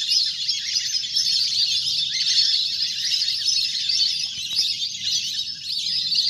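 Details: Ducks gathered in a large flock splashing in water, sound meant to lure birds down; shrill, continuous chirping chorus over a soft low background rumble.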